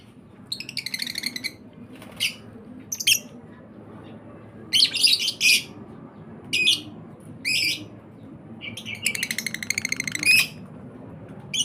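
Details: Lovebird chicks kept by a breeder, giving harsh, raspy, buzzy bursts in irregular spells, about ten bursts scattered across the stretch, some short and clipped, others drawn out and stuttering, over a quiet low background hum.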